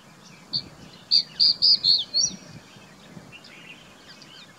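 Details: Crested bunting from Rajasthan's Aravali hills, India, delivers a single quick song phrase of about five high, ringing notes ending in a brief upslurred flourish, followed by quieter background chirps and rustling.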